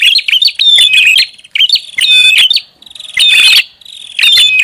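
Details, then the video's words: Prinia lure call, loud and noisy: bursts of sharp, high chirps mixed with a thin steady whistle, grouped in phrases about a second long with short silent gaps between them. "SUARA PIKAT BURUNG PRINJAK ATAS RIBUT"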